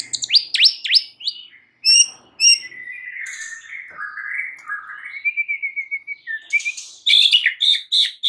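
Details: Varied white-rumped shama song meant to spur other shamas to sing: fast upswept whistles, bright ringing notes, a long wavering warble sliding down and up, then a burst of clipped high notes.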